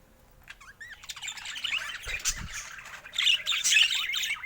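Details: Captive budgerigars, colorful rare mutations with young birds among them: curling whistled chirps begin, then build into busy, overlapping chattering warbles from several birds, with a soft low thump near the middle.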